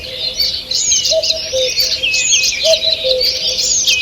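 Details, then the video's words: Morning birdsong in a forest, 2 June 2023. A dense chorus of many birds sings at once, with overlapping high twitters, trills and whistles, while a lower, short, repeated note sounds steadily beneath it. "Утреннее пение птиц"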